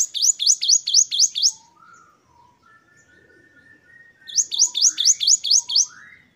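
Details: Great tit singing the 'wucit-wucit' style: two bursts of rapidly repeated high, rising whistled notes, with faint, drawn-out lower whistles and chirps from other birds in the quiet gap between them.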